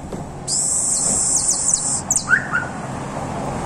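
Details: A young Creole canary, its song now firming up, sings a very high, fast rolled trill held steady for about a second and a half, then a short lower chirp, over faint background hiss.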